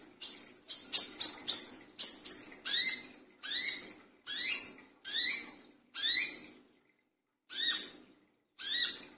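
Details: A brown-throated sunbird calling noisily at night to draw in other sunbirds: a quick volley of clipped scratchy notes, then slower, longer harsh rising calls about one second apart.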